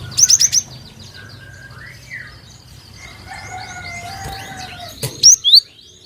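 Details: Cinereous tit lure sound meant to make other birds sing: a quick run of four sharp high whistles opens, then other birds give lower drawn-out whistles and chatter, before two more piercing whistled notes end it.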